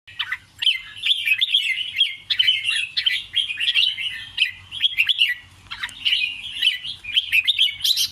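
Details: Red-whiskered bulbul singing in the Thai 'ble rik krajai' style, with doubled, scattered phrases: a fast run of bright, liquid, warbled notes, mostly rising and falling chirps, with only brief pauses between bursts.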